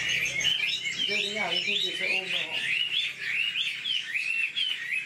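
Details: Fast whistled song of an old wild-caught caged Chinese hwamei, looping phrases running steadily throughout, with a brief low voice-like sound early on.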